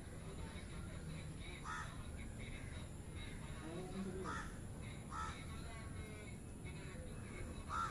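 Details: A myna in Sri Lanka gives a few harsh, croaking calls spaced a second or two apart over a steady low rumble of background noise.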